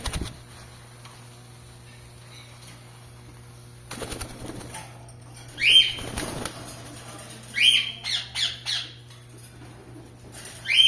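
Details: Caged rose-ringed parakeets, opaline clear mutation, in Ceará, Brazil, flapping wings in bursts before giving several harsh, grating screeches in quick succession, with a steady low hum throughout.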